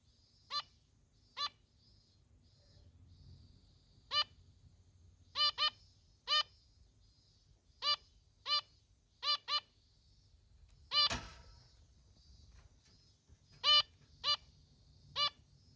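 A female zebra finch gives short, nasal 'meep' calls, singly or in quick pairs, at irregular intervals.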